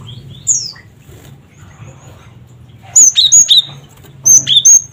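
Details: Cinereous tit calling in a cret cret wucit pattern, used to lure and provoke other birds; two bursts of sharp, high whistled notes, four or five quick slurred notes each, with a faint low hum beneath.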